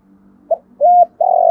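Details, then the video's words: Spotted dove calling in the 'giọng thổ' voice style, used as a decoy to lure wild doves; a short clipped note, then a flat hooting coo, then a longer buzzy coo that starts a phrase, in quiet surroundings. "cu gay giong tho cuc dinh/ tiếng chim cu gáy kích bổi hiệu quả nhất"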